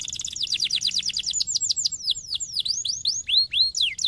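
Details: Canary singing to encourage other canaries to sing: rapid series of downward-sweeping whistled notes, slowing gradually into wider, more spaced sweeps toward the end.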